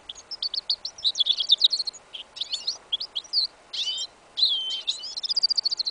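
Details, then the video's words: Goldfinch crossed with a yellow isabella canary, heard in a field in winter on 11 January 2015: twittering high phrases broken by short gaps, buzzy bursts and a closing fast trill of even chirps, song left incomplete. "Прослушка гибрида щегла"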